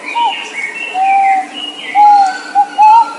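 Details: Thai bird known locally as nok pao, giving clear, pure whistled notes, some level and drawn out, others short and slightly rising, spaced irregularly over a few seconds with faint background hiss.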